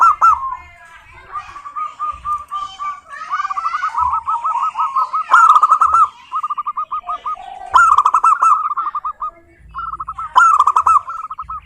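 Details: Local zebra dove song aimed at getting other zebra doves to sing: continuous rolling trills of rapid coos, with louder phrases punctuated by sharp notes every few seconds and light low thumps.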